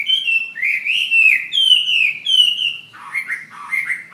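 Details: Ha Giang fighting hwamei from Vietnam delivering sustained, strong whistled phrases that waver and glide, followed by a burst of quicker, buzzier notes.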